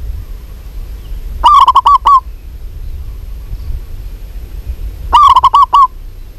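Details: Two quick runs of staccato cooing from a local zebra dove, a female calling a male, each run roughly six notes long and spaced nearly four seconds apart against quiet background.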